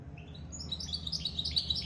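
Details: Short burst of lively high twittering from a goldfinch-canary mule described as just out of the moult, notes bunched quickly with soft low hum behind.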